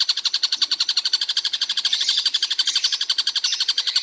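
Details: Rapid harsh chatter from a kingfisher known as tengkek buto, said to keep calling all day; clipped notes at a fixed high pitch tumble out quickly and evenly, getting a little louder midway.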